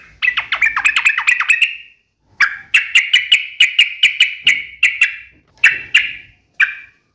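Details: A gacor trucukan (yellow-vented bulbul) sings sharp ropel phrases: a fast descending rattle of chirps, then spaced bright, clipped notes, slowing toward single calls at the end.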